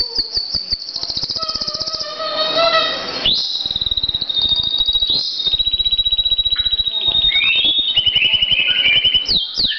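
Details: Caged pet canary in full song: dense rattling trills of quick repeated notes, long steady whistled tones, and buzzy rolls running on without pause.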